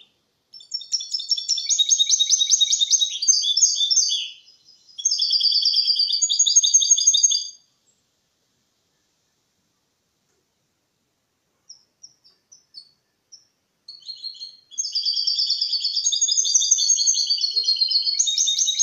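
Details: A male mule goldfinch (goldfinch × canary hybrid) sings a clean, error-free elegant Málaga-style song, used to stimulate males to sing and to tutor chicks: long, rapid runs of bright twittering notes and trills, with brief pauses between bursts.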